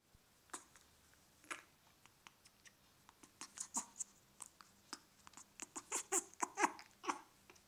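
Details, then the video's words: A two-year-old male pet grey parrot makes soft, short squeaks and clicks, a couple each second, growing busier and louder, in a quiet room. He has done this occasionally since 16 weeks old, right after regurgitating, which the owner calls mating behaviour. "Does any Parrot owner know what this little noise means??"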